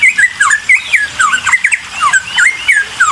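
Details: Bulbul song used to provoke answering birds: a quick, tumbling jumble of whistled slurs and squeaky notes, rising and dipping rapidly, with no pause across the short stretch.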